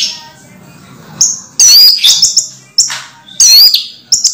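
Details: Moulting caged orange-headed thrush singing energetically: high, sharp whistled notes and shrill slurred phrases in short bursts roughly every second, with a faint low hum beneath.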